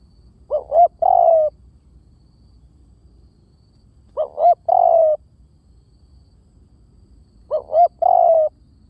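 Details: Spotted dove lure call. Three evenly spaced phrases come about every three and a half seconds, each with two short upslurred hoots followed by a longer mellow coo that falls slightly at the end. Clean background.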